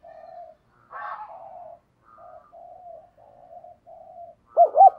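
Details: Spotted dove coos played to stimulate and excite males: a series of soft, low, flat murmuring coos in separate short bursts, then a sudden loud run of rapid, bouncing arched coos at the end, in a quiet setting.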